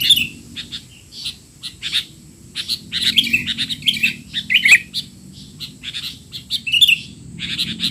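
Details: Sooty-headed bulbul masteran for young bulbuls: loud, restless chatter of sharp chirps, squeaks and slurred falling notes in overlapping bursts, almost continuous, over a faint low rumble.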